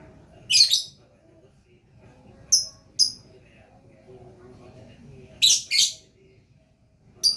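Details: Lovebird singing in gacor style: sharp, high, rasping bursts come in clusters, a double burst early, two quick chips, another double burst and a final chip, over a quiet background.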